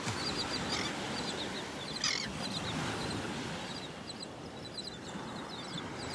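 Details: Terns arriving on a beach at Delnor-Wiggins Pass State Park, North Naples, Florida, on the morning of August 25, 2019, give short, high chirps several times a second under steady surf and wind; a louder burst comes about two seconds in.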